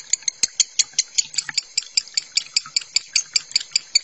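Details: A lovebird delivering konslet chatter for masteran training: high, thin, ticking chirps, about twenty in four seconds, evenly spaced, with occasional soft clicks in the background.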